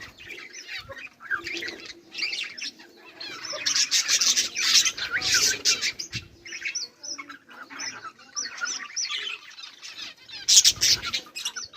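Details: Budgerigars chatter at length with harsh squawks and chirps in loud bursts, louder in the middle and again near the end, with soft flutters between.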